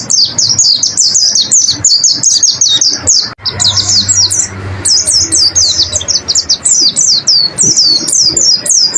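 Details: Pleci (white-eye) training song used to bring caged birds into full song: a long, steady stream of sharp, high, down-slurred chirps, densely repeated with a brief break near the middle, over low background rumble.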